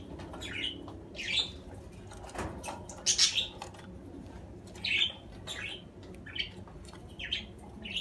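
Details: Budgerigar sounds: short squeaky chirps and harsher scratchy notes spaced irregularly, with rustling and soft thumps underneath.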